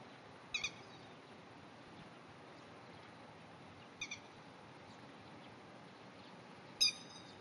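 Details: Grey-headed lapwing, one of a pair, gives three sharp, ringing double-noted alarm calls several seconds apart over a steady hiss, while the pair defends its rice-field territory against an intruding cat; recorded 30 May 2010.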